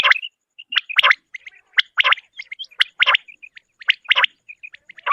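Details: Common quail, described as a female's call, giving short, rasping burst notes about once a second, with soft higher chirps scattered between them.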